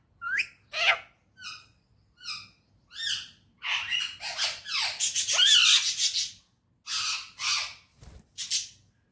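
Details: Talking parrot, said to speak Urdu and Hindi and to be in a happy mood, producing a busy run of short rising whistles and raspy, voice-like squawks that swell into a loud burst midway.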